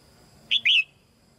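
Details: One brisk whistled phrase from a caged female red-whiskered bulbul, a quick clipped note then a longer falling warble, sung to prompt young birds into singing.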